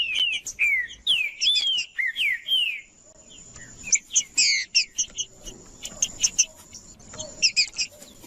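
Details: Green-winged saltator song used to stimulate other males: clear whistled phrases with slurred, arching notes in quick succession for about three seconds, then scattered sharper chirps and clicks with some background noise.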